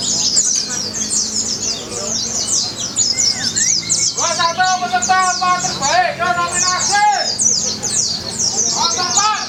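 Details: At a singing contest in Semarang, Indonesia, a pleci (white-eye) delivers a tireless high, fast chittering 'nembak' song while loud harmonic calls and voices from the crowd pulse beneath it.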